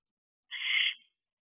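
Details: A single harsh, breathy hiss about half a second long from a wild barn owlet at its nest box in July 2023, near the age when young owls leave to find their own territory.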